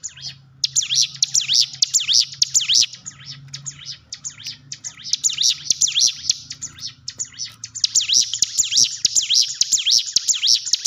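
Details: Hill prinia song meant to coax a silent caged bird into singing; dense runs of high, rapidly rising and falling whistled notes in quick sequences, nearly continuous, over a faint steady low hum.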